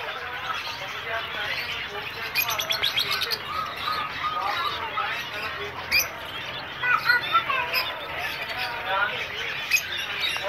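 Zebra finches chatter with busy, nasal, toy-trumpet beeps and quick chirps overlapping throughout.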